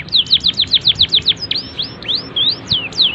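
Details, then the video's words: Canary song with good melodic turns, used as a tutor recording for young birds: a fast run of bright downslurred notes about eight per second, then slower rising and falling whistled slurs, over faint low background hum. "KENARI cengkok bagus cocok untuk MASTERAN PAUD"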